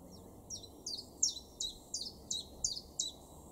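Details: Common chiffchaff singing in a garden in Weener, East Frisia, far northwest Germany, April 2021: a steady run of high, sharp, downward-slurred notes, roughly three per second, alternating slightly in pitch, over faint low background hum.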